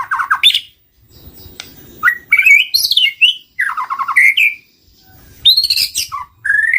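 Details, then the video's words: Lure song of a white-rumped shama, meant to attract other birds: loud rich whistles and sharp rising notes in separated phrases, some fast stuttering trills, with brief pauses between bursts and faint low background rumble. "Suara pikat murai batu"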